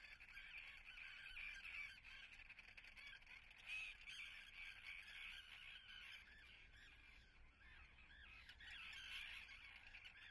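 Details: At Atlit, Israel, on 10 June 2010, a colony of nesting common terns keeps up rasping, chattering calls from many birds at once. Louder surges come around the middle and near the end.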